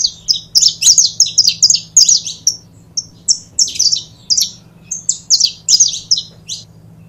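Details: Caged pair of saffron finches producing rapid bursts of high, sharp chirps with downward sweeps, grouped in runs separated by short gaps; quiet hum in the background.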